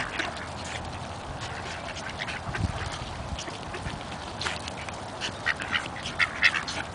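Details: Two hungry Buff Orpington drakes in a feeding frenzy give rough, low quacks and busy dabbling noises; brighter squeaks and close bumps near the end as one bites the camera.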